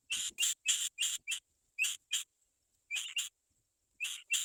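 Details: Black-winged kite young waiting for their mother to go out and find food; harsh, raspy, hissing calls in short bursts, often paired, with brief pauses between groups.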